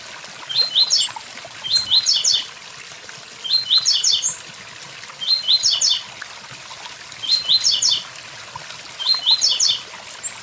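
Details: Steady series of blue-black grassquit songs at a waterfall: each a quick high buzzy 'tui tui zel zel' burst, repeated about every one and a half seconds, over rushing water.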